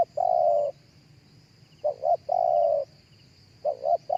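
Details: Spotted dove calling live, a lure recording for other doves. Long level coos alternate with pairs of short clipped notes in a steady short-short-long pattern. Faint high chirps from other birds run underneath.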